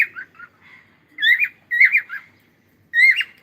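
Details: Singing cockatiel giving warbled, slightly raspy phrases that wobble up and down, delivered in three main bursts with brief gaps, the last phrase rising sharply.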